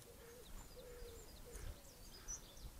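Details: Pigeon cooing, recorded 8.3.22, with a blackbird and robin also present: soft, low hooting phrases repeated several times, with faint high chirps and thin whistles from other birds above.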